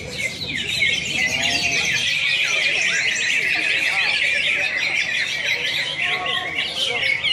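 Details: Many caged greater green leafbirds competing in a singing contest, Pontianak, West Kalimantan, Indonesia, April 2016; continuous shrill, chattering warbles and sharp squeaky notes overlap without pause, over faint background voices.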